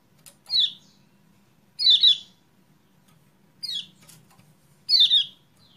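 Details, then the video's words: Lure call of kecial kuning to stir a silent caged bird into song: four sharp downward-sweeping chirps at uneven gaps, some doubled, with faint clicks between them. "PANCINGAN CEPAT GACOR UNTUK KECIAL KUNING MACET"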